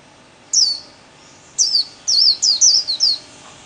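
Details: Kept white-eye singing the Vietnamese 'líu' song style, played for daily training: one bright high twittering burst, then a pause and a run of five quick rippling high phrases.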